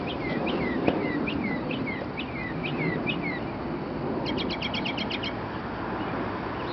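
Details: Close-range bird song on a residential street in Arlington, Virginia, early morning, 9 April 2011: a series of falling whistles, then a quick, even trill of about ten sharp notes, with constant background rumble.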